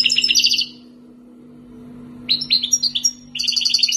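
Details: Algerian wild-origin European goldfinch, two years in keeping, delivers three rapid phrases of liquid, chattering high notes and fast rattling trills, a pause after the first, over a steady background hum.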